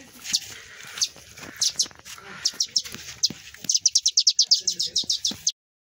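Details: Sparrow nestlings fallen from the nest, one sick, chirp in scattered high notes over a man's voice, then a rapid even series of about fifteen sharp peeps before sudden silence.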